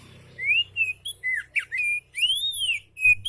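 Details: Relaxed oriental magpie-robin song meant as a tutor for lazy-singing magpie-robins: a rapid run of sweet whistles, slurred up-and-down notes and a long arched whistle, loud and clean with a faint low hum.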